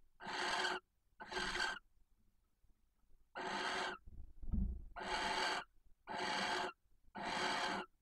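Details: Barn owl pair at a nest box in Cabañeros National Park, Spain, where the female calls intensely before copulation; rough broadband hissing screeches in a series, broken by a pause with a low thud and rustle.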